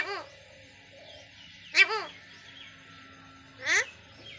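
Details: Pet Indian parrot talking at home, giving two separate loud, harsh, speech-like bursts with stacked, arching tones, each well under half a second, separated by quiet gaps with faint background chatter.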